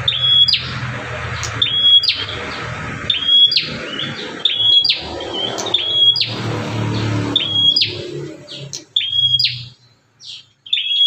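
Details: Bar-winged prinia uncaged, its call used to draw in other prinias; repeated clipped whistles each ending in a buzzy rasp, roughly twice per second in bursts, over steady background music.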